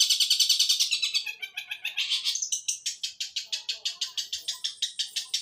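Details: Sparrow-voice (suara gereja) song of a fighting long-tailed shrike: a fast, rattling series of high notes slowing into evenly repeated scratchy chirps, about three per second.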